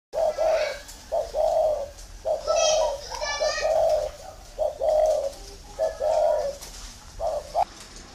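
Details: Large caged Spotted Dove decoy bird of the thổ type, red-eyed pink-powder line, giving three or four thổ notes: low hollow coos in short grouped phrases at a steady pace, with faint higher chirps and a man's voice in the background.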